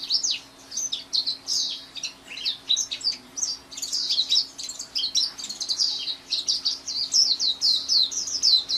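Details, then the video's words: Busy, twittering white-eye song of quick, jumbled high notes with sharp upward and downward slurs, delivered almost without pause. "SUARA MAHAL KICAU BURUNG PLECI"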